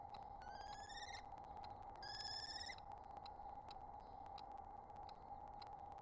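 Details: Wild common kestrel of a breeding pair conversing at its nest site, spring 2022: two quick rising, pulsed whining calls near the start, followed by faint clicks and a constant low hum.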